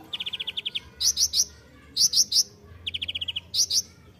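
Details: Kolibri ninja sunbird for training songbirds, alternating a fast run of about eight clipped trill notes with sets of three loud, ringing high chirps, a pattern repeated twice.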